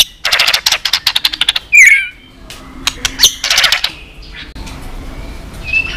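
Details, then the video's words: White-rumped shama during competitive singing: a run of fast dry rattling clicks, then a single bright twisting whistle, another burst of harsh ticking notes and a faint thin whistle near the end. "Chòe lửa kéo dây suối dài"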